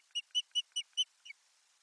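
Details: Osprey at a nest-camera site in Finland on 1 May 2020, as a female brings soft lining material to the nest: five loud, clear whistled notes in quick even succession, then one softer, falling note. The background is otherwise quiet.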